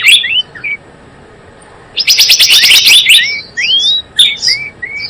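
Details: Java sparrow sounds for luring birds to a trap: a few scattered chirps, a pause, a fast dense rattle of high notes, then spaced rising whistles and short chirps.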